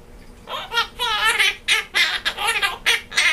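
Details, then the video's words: Indoor pet Quaker parrot, male, laughing constantly while singing Jingle Bells during the holidays: rapid, gargling, chuckle-like syllables in quick uneven succession, wavering and raspy, with near-continuous chatter. "Quaker Parrot singing Jingle Bells"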